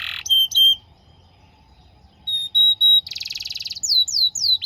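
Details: Canary song for training young canaries to sing: loud, high whistled notes, a few clear repeated whistles, then a fast buzzy trill and a string of down-slurred chirps.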